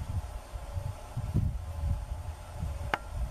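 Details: Great horned owl (João Curutu), a nocturnal owl of the Amazon and much of Brazil, gives deep, muffled hoots about every half second in a low, soft series, with a sharp click near the end and faint hiss.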